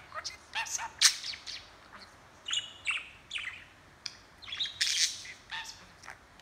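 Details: Budgerigar in a home setting chattering continuously, filmed handheld: scattered bright chirps and harsh buzzy squawks in irregular bursts, some louder peaks, steady faint background.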